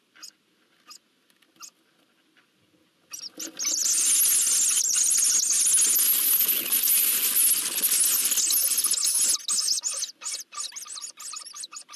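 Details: Eurasian hoopoe nestlings being fed at a nest in Nagyberény, Hungary, on 12 June 2024, recorded by a live nest camera. A few faint hisses give way to a loud, sustained, rasping hiss for several seconds, then broken scratchy bursts.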